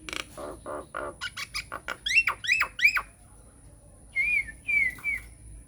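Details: Lure song of a vigorously singing Nias hill myna, used to set other mynas singing: a series of harsh rasping notes quickens into three upswept whistles, followed after a pause by two drawn-out bending whistles.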